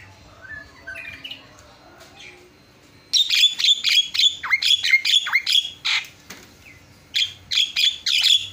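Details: Javan myna song used as master song to prompt singing: soft chatter, then loud rapid harsh buzzy notes with shrill whistled tones, a brief pause, and another fast burst.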